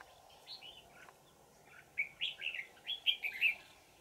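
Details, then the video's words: Wild mountain red-whiskered bulbul recorded while being trapped with a decoy, 20 December 2018, bell-toned twisting voice: a few soft notes, then a lively string of about eight clear whistled, warbling phrases. "Bẫy chào mào Già rừng giọng chuông xoắn tít"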